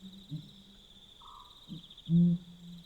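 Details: Deep booming hoots of a Pel's fishing owl at night in Botswana, two faint low notes followed by one loud, short boom that fades into a sustained low hum; a brief higher tone and constant insect trilling behind.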